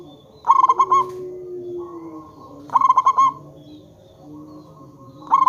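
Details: Zebra dove, a local bird, in a lure recording meant to make other zebra doves call back: rhythmic bursts of five clipped, pulsed coos, repeated about every two and a half seconds, with a steady background tone.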